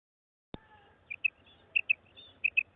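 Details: Female quail (madi batair) calling: after a sharp click, three pairs of short, high, clear notes, each pair a quick double 'pip-pip', spaced roughly every half second in a quiet background.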